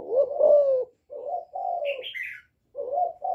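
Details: Spotted dove, young, in calling and bowing coos used to excite wild doves. A long mellow falling coo opens, then shorter low notes, while another bird adds a few higher chirps in the middle.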